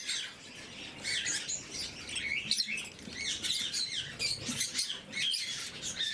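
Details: Several blue-mutation lovebirds at their morning feeding: a busy mix of shrill chirps and squeaky twittering notes, overlapping calls rising and falling, with soft patter and rustling in the background.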